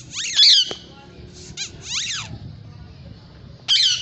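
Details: Indian ringneck parakeets, a pair playing and squabbling: loud harsh screeching bursts at the start and end, with rapid raspy chattering notes between and a low background hum.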